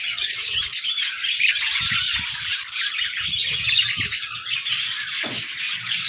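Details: A flock of budgerigars in an aviary chatters without pause, with many birds warbling and chirping over each other. A low thump sounds near the end.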